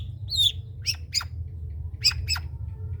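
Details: Long-tailed shrike, trotol type, singing as a tutor for other birds: a few sharp, scratchy notes, one thin whistle followed by two pairs of quick down-slurred chips, with a low hum underneath.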